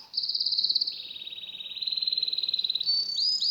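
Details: Canary singing amid scenes of nature: long fast trills held at a high steady pitch, one dropping slightly lower, then sharp rising notes at the end.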